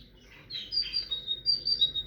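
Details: Tit song made of thin, high, pure whistled notes repeated in a quick, steady series after a quiet opening.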